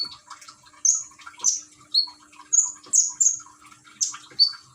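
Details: Caged common iora from Gresik, East Java, Indonesia, singing beside a trickling water therapy sound; bright high whistled notes and short chirps repeat roughly every half second above a faint watery background.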